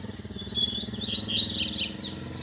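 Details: A captive Double-collared Seedeater, a male whose female has just come down in the cage, sings a fast, high twittering song of about two seconds of bright, varied notes over a steady low hum.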